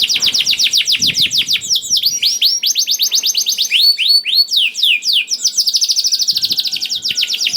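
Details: Canary song intended to stimulate other canaries to sing: long run of rapid repeated notes shifting through arched whistles, a few high tinkling notes, then a buzzy roll and a fast trill.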